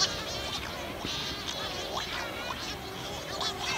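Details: Several Cory's shearwaters give harsh, nasal wailing calls that rise and fall in overlapping bursts over a steady hiss, at night in a dense breeding colony on Pico Island, 2019. Mated birds return from fishing to swap egg duty. Lower droning calls are females, higher plaintive ones males.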